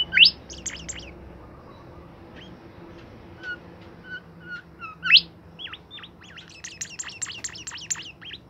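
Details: Caged bimoli bird singing constantly: a sharp rising whistle, scattered short whistled notes, another sharp upsweep, then a fast run of high chirping, looping notes through the final seconds, over a faint low hum.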